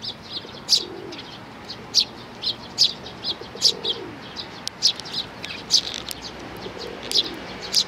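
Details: Sparrow chicks and parents, 11 May 2019: a steady run of bright, high, clipped chirps, sometimes paired, repeating over several seconds. A faint low cooing rises now and then beneath.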